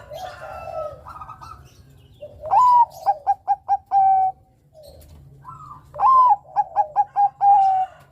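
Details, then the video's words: Zebra dove (perkutut bangkok) singing, kept for use as a lure for other birds: soft rising coos followed by a loud whistled note, then four or five rapid clipped coos and a long drawn final note, phrase repeated twice. "Suara burung Perkutut Bangkok Gacor Kutut Bangkok gacor ini cocok untuk Pancingan Kutut Bangkok"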